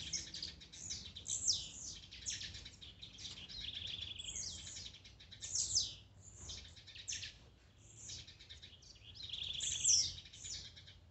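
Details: Blue-black grassquit (tiziu) songs for warming up a kept bird: a continuous, crowded series of high buzzy downslurred bursts, several overlapping, rising and falling in loudness over eleven seconds with faint low hum.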